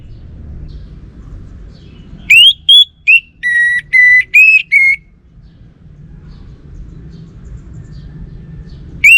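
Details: Orange-headed thrush, Singaraja in North Bali, in full continuous song: a burst of about eight pure whistled notes, some rising and others held level, packed into three seconds, then quiet low rumble before another note begins.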